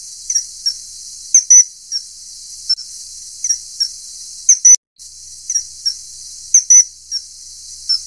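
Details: A common kingfisher (Alcedo atthis) feeding a juvenile: thin, very high squeaky notes in short bursts of two or three, about every second or two, with quiet background.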